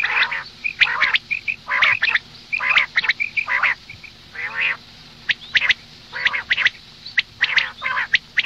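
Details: Female common quail calling in the morning: rough, nasal, quack-like bursts repeat about once a second. Short high chips and clicks are scattered between them.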